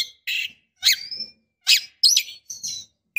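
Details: Calling female white-rumped shama in breeding condition, luring a male: a series of loud, scratchy bursts, some ending in thin rising whistles, spaced roughly every half second.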